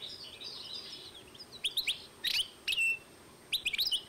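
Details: Goldfinch x canary hybrid from 2012 giving separated bursts of sharp, high twittering notes, some with downward slurs, over a soft background hiss.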